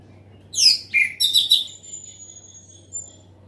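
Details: Short burst of loud orange-headed thrush song: a few sharp descending and chattering high notes, then a long thin faint whistle trailing off.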